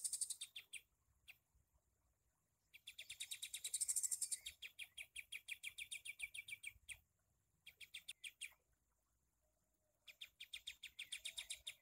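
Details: A sooty-headed bulbul gives bursts of fast, high, scratchy chattering notes that run for a few seconds and break off with short pauses. The recording serves as a master song for training kept songbirds.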